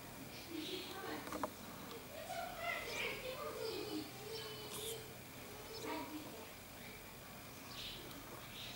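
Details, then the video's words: Common starling (Sturnus vulgaris), North Africa, gives a jumble of whistles, clicks and wheezy chatter, varied notes tumbling along at an uneven pace over a steady low hum. "Étourneau sansonnet Common Starling زرزور شائع"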